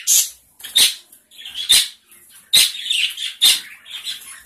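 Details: Small colony of gray Java sparrows giving sharp, high chipping notes in short bursts, roughly one a second, with softer chatter between them from several birds.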